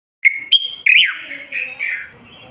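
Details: Common bulbul singing a continuous song used to stimulate males to sing: a few clear whistled notes near steady pitch, then slurred, falling warbled phrases fading out.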